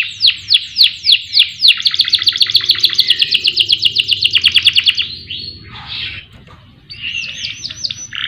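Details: Canary song used as a lure for other songbirds: a series of falling whistles speeding into a long fast trill, then a brief noisy burst and high buzzy rolled phrases after a short pause.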